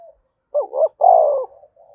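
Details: Spotted dove cooing to trigger wild doves to coo: a single phrase of two quick, rolling notes followed by a long, steady, slightly falling coo, with soft murmurs before and after.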